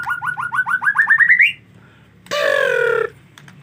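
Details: Rainy-season white-rumped shama, hard to bathe: about a dozen rapid whistled notes steadily rising in pitch, a pause, then a loud harsh rasping call lasting under a second.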